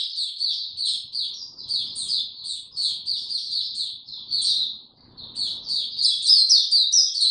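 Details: Caged white-eye in song on 29 April 2022, no health supplements given: long rapid high twittering, a short gap near five seconds, then louder sharper whistled notes toward the close.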